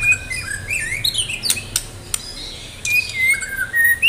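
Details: White-rumped shama of the Medan type in full song, described as ready to enter a singing contest: varied high whistled phrases, rising and falling slurs, interspersed with sharp clicks and brief buzzy notes, in a quiet room.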